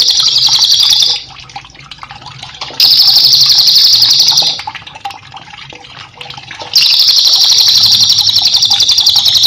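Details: Cililin, recorded as a master song for cage birds, delivers three long shimmering high trills of about two to three seconds each, spaced by quieter stretches with faint water sound.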